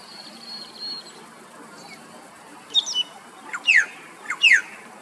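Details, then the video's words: Male Australasian figbird singing loudly on an afternoon in Queensland, Australia: after a faint high whistle, a short burst of chatty notes leads into two sharp descending whistles about a second apart. "Australian Figbird Singing Enjoying a Beautiful Afternoon Siesta"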